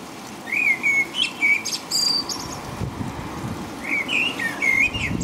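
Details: Blackbird singing in the rain in the middle of the night in England, about 5 a.m.: two warbled, fluting phrases a few seconds apart, each closing with thin high squeaks, over steady rain noise.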